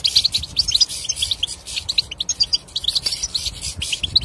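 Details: European goldfinch song used for silent birds: fast, bright twittering phrases with metallic tinkles and short chattering trills that run almost continuously.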